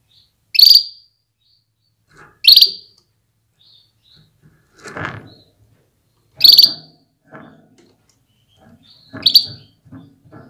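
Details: Female canary calling to prompt males to sing and prepare for breeding: four sharp, loud, high chirps spaced one to four seconds apart, plus a dull knock midway and faint rustles.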